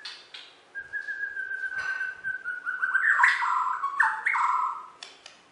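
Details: Bornean White-rumped shama, a contest champion in West Kalimantan, holds a long level whistle, then breaks into rapid rising and falling warbled phrases, ending with a few soft clicks.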